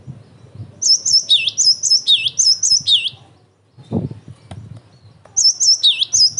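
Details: Cinereous tit song, an emotive, very active bird used to provoke other tits to answer and as a training recording: bright high whistled phrases, each dipping to a lower note, repeated in rapid series, a pause with a low thump, then the phrases resume.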